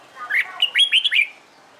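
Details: Red-whiskered bulbul, a bird in training for competition singing, gives one short phrase of four or five loud slurred whistled notes, each rising then falling, over about one second against quiet background hiss.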